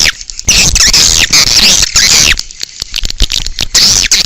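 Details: Outdoor swiftlet calling used to lure swiftlets: busy, shrill chittering with downward-sweeping chirps packed close together, broken by a few short gaps, loud and unbroken for most of the recording.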